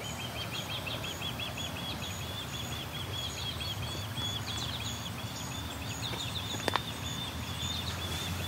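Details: Nonstop calling from an osprey along the Grand River in Waterloo, Ontario, in riparian and urban surroundings: continuous series of short, high, whistled chirps running throughout, over a constant low rumble, with one sharp click near the end.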